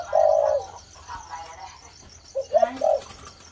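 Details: Spotted dove, a 'thổ' bird just beginning to coo: a loud drawn-out mid-pitched coo, then a soft gap and three short clipped coo notes, with a high steady insect-like drone and a few spoken words nearby.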